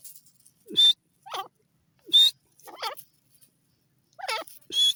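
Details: Grey francolin (teetar) calling: loud, harsh notes with stacked harmonics, some bending and wavering, others sharp high bursts, coming in irregular clusters across five seconds against a quiet background.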